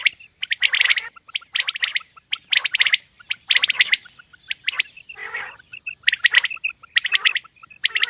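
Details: Female common quail (batair) calling in a mixed calling recording: dense clusters of sharp chirping notes in quick bursts, broken by short pauses, over a steady thin high-pitched whine throughout.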